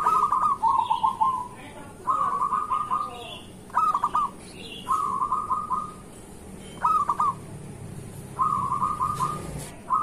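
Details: Morning song of an active local zebra dove, used to stir other doves: short clipped bursts of beaded cooing notes, repeated about every one to two seconds.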